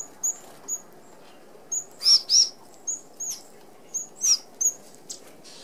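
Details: Flock of red-browed finches, an Australian native, feeding at an open aviary feeder that excludes sparrows; a busy stream of thin, very high piping calls, some louder downslurred notes and brief wingbeat rustles among them.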